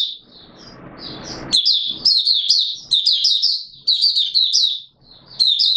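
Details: Mata Puteh Raja (Oriental white-eye) in opening song, 24 March 2022: a noisy lead-in, then long runs of high, rapid, twittering notes broken by brief gaps.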